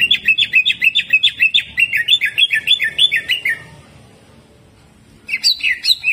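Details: Greater green leafbird singing in the jamtrok style with rough 'tembakan kasar' shots: a fast run of repeated buzzy, slurred notes around three kilohertz, about three per second, then a pause and a renewed burst.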